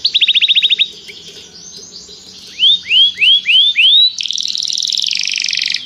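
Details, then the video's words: Canary calling a companion to sing during song training: a quick trill, soft pause, five loud rising whistled notes about half a second apart, then a dense buzzing rolled phrase. "Canário chama o amigo para cantar - treinando canto de canário"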